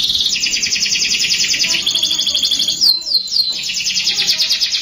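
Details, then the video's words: Canary song used to stimulate young canaries: a dense high rolling trill, a few sharp descending whistles in the middle, then steady trilling again. "PANCINGAN KENARI MUDA AGAR CEPAT BUNYI | CANARY SOUND"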